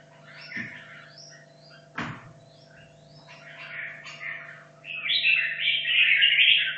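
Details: Hanoi red-whiskered bulbul, caged 2.5 years, in competition practice; soft scattered chirps and two sharp knocks precede a loud, fast, buzzy warbled phrase near the end, with a steady background hum.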